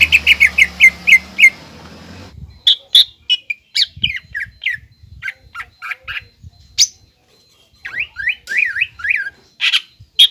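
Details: Greater green leafbird singing a 'nembak ngekek' lure song: a quick row of shrill notes, then scattered sweeping whistles and sharp chips with gaps between phrases, with soft low rumbling underneath.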